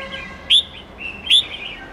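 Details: Red-whiskered bulbul, forest-style voice for young birds to learn: two short bright whistled notes about three quarters of a second apart, with softer thin whistles between them.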